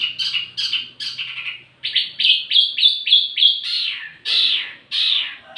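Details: Wambi mini lure and tutor song: spaced harsh notes, then an evenly paced run of bright downslurred whistles. Two longer, buzzier notes close the phrase.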